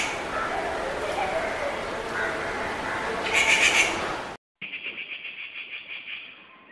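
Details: Rufous treepie gives a harsh chattering burst amid background noise, followed after a cut by a muffled, pulsed stretch.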